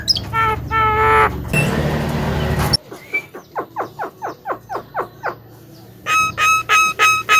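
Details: Javan myna singing as a master recording for training songbirds: a burst of harsh noise, then a regular series of short rising chips about three per second, ending with loud nasal honking notes.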